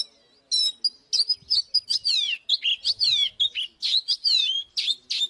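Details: Oriental magpie-robin singing in a fighting context: a sustained rapid chain of loud, slurred whistles and downward-sweeping notes, nearly unbroken after a quiet opening half second.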